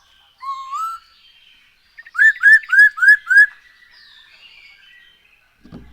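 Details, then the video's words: Black-throated laughingthrush in full song, played as a lure to get birds singing: a rising whistle, then five loud ringing arched whistles at a steady pace, trailing into faint chatter. "Poksay HONGKONG GACOR SETIAP HARI ‼️Dengan Pancingan ini Bikin Burung Tambah gacor"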